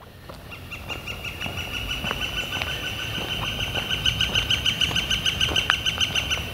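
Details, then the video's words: Northern flicker calling on a warm, clear April 28, 2014 day: a rapid, even run of loud ringing notes that builds in strength over several seconds, with soft outdoor background. "Northern Flicker Calling and Drumming"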